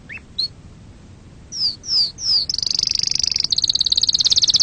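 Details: Canary song for training chicks and breeding: a few isolated high chips and three downward-sweeping whistles, then a fast, dense, buzzy high trill that carries to the end.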